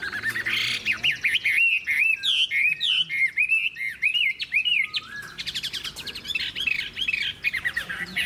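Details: Old wild-matured Chinese hwamei delivering a long-singing style song: loud, clear whistled phrases, a run of rising and falling slurred notes repeated rapidly, then bursts of buzzy chattering trills near the end.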